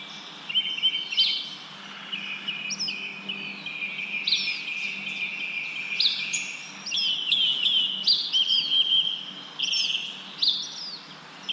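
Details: Leaves moving in the wind while several birds chirp: high, thin tweets and rising flicks come in clustered bursts, interwoven and uneven, with short quieter gaps and a low, constant rustling hiss throughout.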